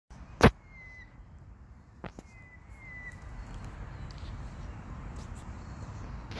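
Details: A White-winged chough gives two soft, mournful, downward-sliding whistles about two seconds apart during interaction, wing display and dance, with sharp snaps and a low outdoor rumble behind.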